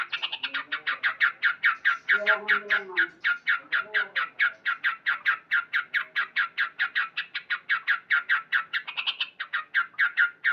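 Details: Male sooty-headed bulbul calling loudly each morning: a steady, fast string of short chopped notes, over two per second for ten seconds, with faint lower calls behind.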